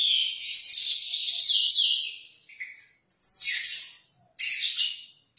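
Orange-headed thrush pouring out a long, rich warble of varied high notes, then two shorter bursts after brief pauses; nothing else is heard.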